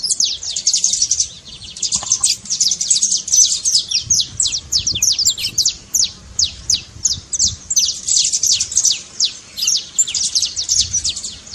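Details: High trilled trincado of a saffron finch, meant to get a quiet canary singing: fast strings of sharp falling notes, close-packed early and more evenly spaced later, nearly three per second.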